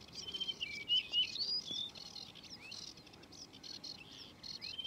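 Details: Singing male yellow-breasted bunting: a few clear, fluty whistled notes, some flat and some sliding upward, spaced irregularly through the clip over a faint background chorus of other birds and insects.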